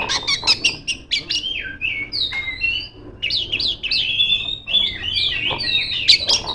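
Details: Female Oriental magpie-robin singing loudly at rivals; a burst of sharp clicks, then swooping whistles and slurred, warbling phrases, with more clicks near the end.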